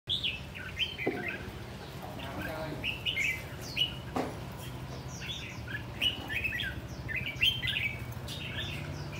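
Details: Caged red-whiskered bulbul in a tall square cage with four corner perches, singing in the rồ ché style: bursts of short whistled, slurred notes, each burst a second or two long, over a steady low hum.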